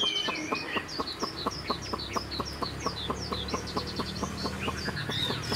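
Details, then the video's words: Caged young Chinese hwamei of this year, taken as a fledgling, flicking its tail like a laughingthrush: high whistled notes over a steady run of sharp clicking ticks, about two per second. "Họa mi chuyền năm nay, cực kỳ tố chất, vẩy đuôi khướu, hót tốt"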